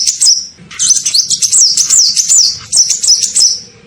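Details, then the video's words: Kolibri ninja sunbird lure call for attracting birds: an almost continuous stream of sharp, high chirps and wavering whistled slurs lasting about three seconds, with faint low rumbling beneath. "SUARA PIKAT KOLIBRI NINJA"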